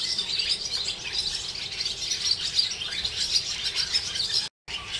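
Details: Swallows calling above the Jewish quarter of Hervás, a village in northern Extremadura: thick, overlapping high twitters and chirps, broken by a brief gap near the end.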